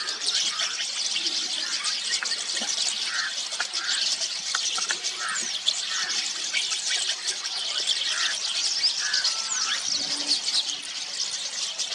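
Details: Rosy starlings feeding on juice from semal flowers, Maharashtra, India: a dense, continuous squealing and chattering mass of high, scratchy notes, with short buzzy bursts repeated throughout and no clear pauses.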